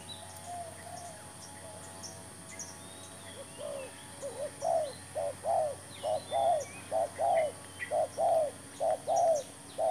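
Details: A spotted dove decoy, a new bird taken out to lure others during trapping with a new trap, starts a run of soft, rounded coos that grow louder and repeat about once a second, other birds twittering faintly.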